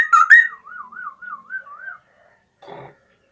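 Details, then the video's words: Straw-headed bulbul singing vigorously in the morning: a loud, rich burst of rippling whistled notes, then a wavering, undulating whistle that fades out. A short, soft rustling noise follows after a pause. "Cucak Rawa Gacor Di Pagi Hari"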